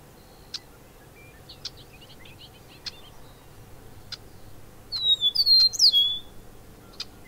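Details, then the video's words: Bobolink singing: soft scattered clicks and chirps lead into a loud, tinkling, banjo-like burst of gliding notes that rise and fall quickly, then a few more isolated ticks in a quiet background. "Bobolink calls and songs"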